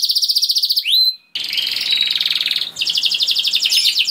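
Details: Canary in song, a lure recording meant to make other canaries respond and sing long, rolling trills at once: rapid buzzy trills near the top of the range, a rising slurred whistle, a brief gap, then long dense rolls with a pulsing beat.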